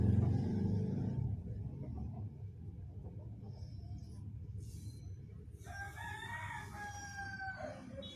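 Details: Hen guarding her egg, giving a dog-like protective call: after several seconds of low rumbling background noise, a burst of harsh, tonal, slightly wavering calls with rich overtones follows near the end, then fades.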